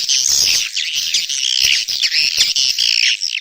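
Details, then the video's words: Mating call of swiftlets: loud, continuous high chattering with sliding, buzzy squawks and quick twitters packed tightly together throughout. "SUARA WALET BirahiBeranak | the sound of swallow lust"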